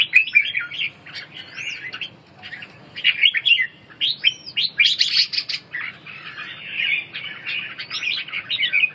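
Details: Red-whiskered bulbul song for birds recovering from respiratory illness. Loud, busy warbling with arched whistled notes and a brief quieter gap partway through.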